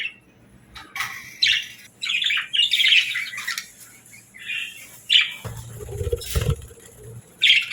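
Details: Budgerigars kept as pets chirping happily, scattered bursts of scratchy warbling and squeaks, with a brief low rumble in the middle.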